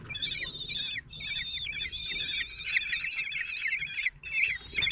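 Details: A father common kestrel raising four 16-day-old young alone brings food to the nest in Théding, France, on 26 June 2023. Continuous high, warbling squeals with stepped pitch changes fill the clip, briefly pausing once.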